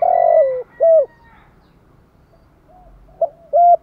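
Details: Urging coo (thúc gù) from a spotted dove: a drawn-out falling coo and a short rounded note, a quiet pause with soft murmurs, then a quick clipped note and another short coo.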